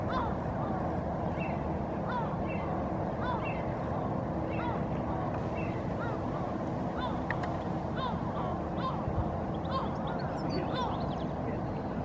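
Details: Two adult herring gulls standing on sea ice at Helsinki, Finland, in April, calling back and forth: short nasal, slightly upslurred notes repeated in loose series over a steady low rumble of background noise.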